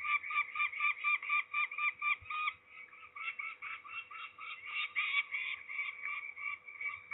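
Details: Peregrine falcons recorded during ringing at Trzebież, Poland, on 13 May 2019: harsh, scratchy calls repeated about twice a second in a steady rapid series, with a short break near the middle before the calling resumes.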